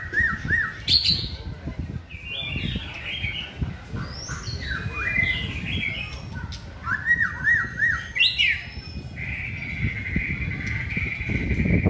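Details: Caged white-rumped shama at a singing training session gives looping whistles, harsh squawky notes and sweeping phrases, ending in a long buzzy held tone, with background rumble throughout.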